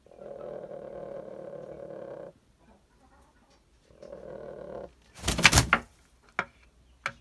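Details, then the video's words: Caged hen growling over space after laying an egg she wants to brood; two rough, buzzing growls of about two seconds and one second, followed by clattering knocks. "Куры умеют рычать Interesting fact Chickens growl like dogs"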